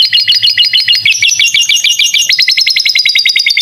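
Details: Domestic canary singing a masteran (tutor) song with lovebird-style phrases, meant for training young birds: fast, steady trills of sharp high notes, each phrase repeating about three times a second before switching to a new trill.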